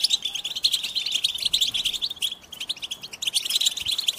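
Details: American goldfinch song: rapid, high twittering chirps and trills packed densely together, several birds overlapping in a continuous chattering chorus.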